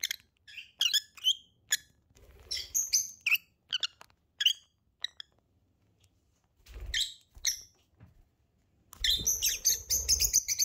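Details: Two lovebirds chatter in quick high squeaks and chirps, pausing mid-way, then a dense burst of overlapping chirps at the end, with low rumbling thumps underneath.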